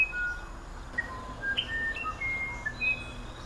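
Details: Musician wren of the humid Amazon forest, South America, singing its elaborate song: pure, flute-like whistled notes jumping between different pitches, short and long tones in an irregular sequence, with faint background hiss.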